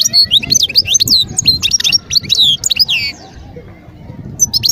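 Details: Wild European goldfinch at Guerbaz, Skikda, Algeria, in 2022 singing quick, sweet twittering phrases with slurred whistled notes for about three seconds, then a pause before a final short burst.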